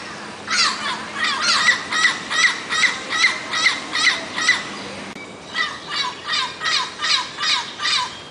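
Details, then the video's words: A Turquoise-fronted amazon (papagaio verdadeiro) gives harsh, raspy squawks, about two or three a second, in two bouts separated by a short pause, over a faint low hum. "O Canto do pássaro Papagaio verdadeiro"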